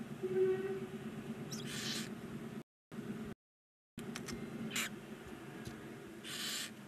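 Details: Nine barn owl chicks aged 19 days in a Hungarian chimney nest box at Ságvár: soft hissing rasps and a few sharp clicks, interrupted by brief silent gaps, above a continuous low hum.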